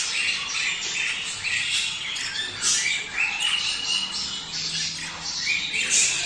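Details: Budgerigar mating sounds for stimulating male and female to breed: overlapping scratchy chatter with clear short whistled notes and squeaky squawks, rising and falling in waves.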